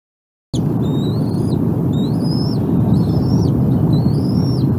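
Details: Bald eagles at a nest with two hungry eaglets being fed, April 14, 2021: high, thin whistled notes that rise and then slur down, repeated in short series over heavy, steady wind-like rushing noise.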